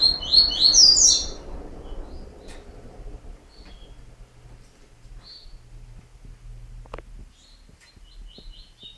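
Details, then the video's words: A Yellow-bellied Seedeater (coleiro baiano) opens with a quick burst of high, twittering notes, then gives only scattered faint chips over a quiet background. "coleiro baiano"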